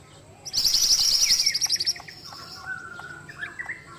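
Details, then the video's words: Ashy tailorbird in full song: one intense burst of rapid, very high pulses lasting about one and a half seconds, followed by softer drawn-out whistles and chirps from other birds. "Masteran Burung Mantenan Gacor"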